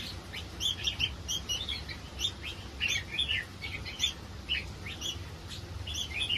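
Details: Red-whiskered bulbul of a hybrid competition line, singing a lively run of short warbling chirps and slurred whistles, repeated in bursts about every half second, with a low constant hum underneath.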